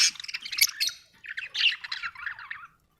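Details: Budgerigar singing, described as happy: rapid busy warbling of buzzy chirps and squeaks in two dense phrases, fading out at the end.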